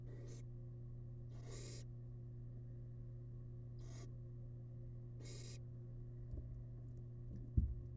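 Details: Wild barn owl chick in a monitored nest box, feeding on rabbit leftovers: four harsh, breathy hiss bursts, two close pairs about a second and a half apart, over a constant low electrical hum, with a soft knock near the end.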